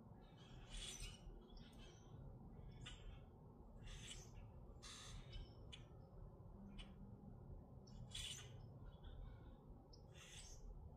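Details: Repeated rough, crackling squawks from grackles in Minnesota, roughly one every second or two, with faint squeaky notes between them and constant low rumble behind.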